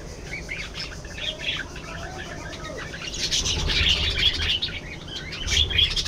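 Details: Budgerigar flock chatter: a rising, rolling stream of high chirps, squeaks and warbles, several birds calling at once and growing louder toward the end.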